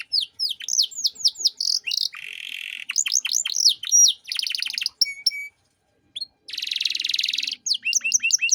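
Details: Master canary song in the 'cengkok mewah' style for tutoring untrained birds: swept whistled notes, buzzy passages, a fast staccato trill, short pure tones, a brief pause and a dense buzzy burst.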